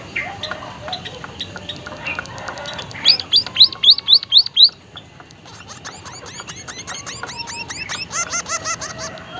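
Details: White-headed munia kept as a caged seed-eater, calling in a strange, lively way: a burst of seven loud arched high chirps, then softer repeated chirp series continuing, with faint twittering behind.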